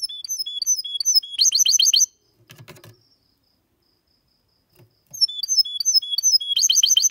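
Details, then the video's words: A goldfinch × canary mule sings clean song for stimulating males to sing and teaching chicks: bright, high twittering phrases with rapid buzzy trills, pausing briefly midway before resuming; a few soft clicks sound in the gap. "Mixto de Jilguero X canari canto Limpio para estimular y memorizar los jilgueros y Mixto / Mulet"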